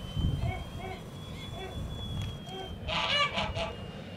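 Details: Young Toulouse geese hatched in 2017, kept on a farm, giving soft, short harmonic honks repeated about twice a second, then a louder cluster of overlapping calls near the end, over a steady high whine and low rumbling background noise.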